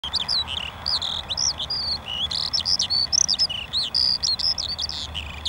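A lark sings a continuous, rapid stream of high, varied chirps and trills, tumbling up and down without pause.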